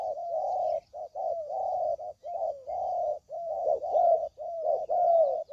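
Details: Tekukur lure call for trapping spotted doves: steady chain of low, hoarse coos, short and long notes alternating with barely any gaps.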